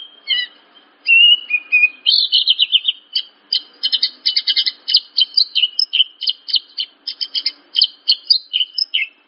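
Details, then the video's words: Horsfield's bush lark song used as a training recording for young larks: varied, high whistled phrases, first drawn-out slurred notes, then rapid clipped chirps repeated in quick bursts, with no other sounds. "Masteran Burung Branjangan"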